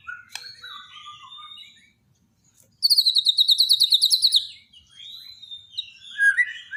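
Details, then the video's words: Borneo white-rumped shama, daily training song for a bird that stopped singing: soft twittering phrases, a short silence, then a loud, high, rhythmic rattle of about fifteen pulses, ending in scattered whistles. "borneo dokter burung murai mandek (Masteran harian)"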